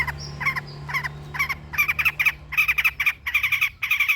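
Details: Long-tailed shrike sound played to prompt captive birds to sing: rough, scratchy chattering bursts given in uneven groups of two to five, growing denser toward the end, with a faint low hum underneath.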